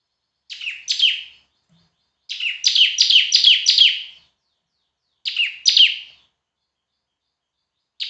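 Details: Loud semi-gacor bar-winged prinia (ciblek) song for masteran: bursts of two, then five, then two sharp down-sweeping buzzy chirps separated by silent gaps, another burst beginning at the end, no other sounds.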